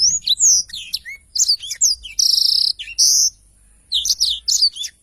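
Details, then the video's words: Clear tutor recording of a lively Black-throated Canary in long rolling song: bright chirps and whistles interrupted by two harsh, buzzy sustained notes, then a quick twittering finish. "Tarikan Suara Blackthroat Super Gacor Ngerol Panjang"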